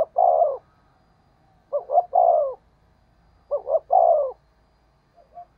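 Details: Spotted dove in 'thúc gù' style, a 'thổ sấm' voice used as a decoy-training and stimulating call: three evenly paced phrases about two seconds apart, each two short clipped notes then a longer descending hollow coo.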